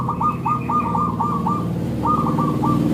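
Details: Local-strain zebra dove singing a lure call to draw answering zebra doves: two tight runs of quick hooked coo notes, roughly four per second, with a faint higher echo of each note and low steady hum beneath.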